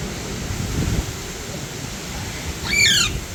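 An Alexandrine parakeet gives one harsh, ringing screech near the end, over a steady low rumble of wind or traffic.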